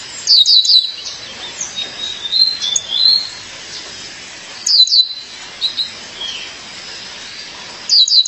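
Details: A female violaceous euphonia calls to her mate in bursts of sharp, ringing descending chirps, spaced four to five seconds apart, over quiet chattering notes.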